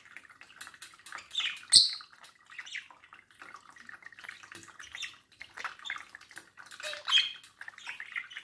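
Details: Caged budgerigar talking at its mirror reflection: a steady stream of soft clicks, ticks and scratchy twitters, broken by a couple of louder shrill chirps.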